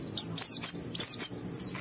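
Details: White-eye in excited mood, singing to trigger others: a few short high whistled notes sliding downward, separated by brief gaps, over faint low background hum.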